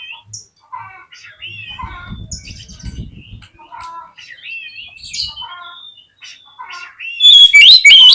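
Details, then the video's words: Oriental magpie-robin song used as a lure to provoke a fighting response and tail-spreading in sluggish birds: varied whistled phrases, slurred and rising, with soft chatter, ending in a sudden loud burst of sharp high notes. "PANCINGAN KACER YANG MALAS BUKA EKOR SEKALI DENGAR AUTO FIGHTER"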